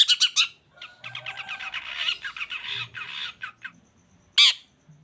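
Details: Long-tailed shrike song used to stir up quiet shrikes so they join in: harsh, scratchy squawks and rapid chattering notes, ending with a single loud, sharp call.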